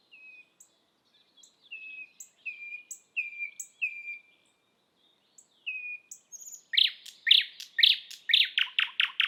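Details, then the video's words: Thrush nightingale singing in Estonia: a series of clear pure whistles, each with a slight downward slur, then a loud, rapid run of harsh, throaty knocking notes that speeds into a dry rattle. "Thrush nightingale"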